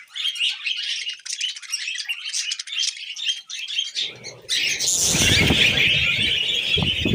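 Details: Pet budgerigar, described as happy, keeps up a fast, scratchy warbling chatter of high chirps. After four seconds loud low rumbling noise, like handling or movement, joins in under the continuing high twittering.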